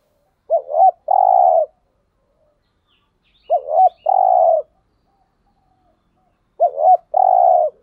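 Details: Decoy spotted dove cooing to lure wild doves: three evenly spaced phrases roughly every three seconds, each a doubled short coo followed by a long low steady hoot, clean and quiet between.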